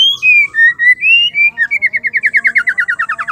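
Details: Female white-rumped shama, whose song is meant to fire up males: long clear whistles rising and falling, then a rapid rattling trill of around twenty quick repeated notes.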